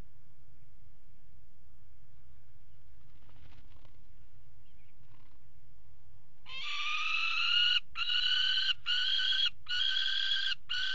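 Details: Peregrine falcons mating on a nest ledge at a water tower, 5 February 2018; after quiet low rumble, a run of loud raspy, harmonic-rich calls starts midway and repeats in rapid broken bursts to the end.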